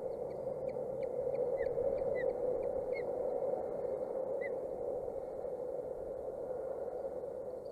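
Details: Nestling ospreys of 27 and 29 days chirping at a Boulder County nest, 14 June 2019, via a nest camera; a quick run of sharp high chirps with a few stronger slurred notes for about four seconds, then only steady background hiss.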